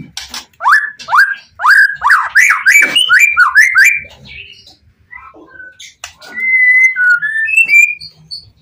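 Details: White-rumped shama song, full of emotion, used to lure other shamas into replying: about ten loud upslurred whistles in quick succession, a pause, then softer fluting whistled notes.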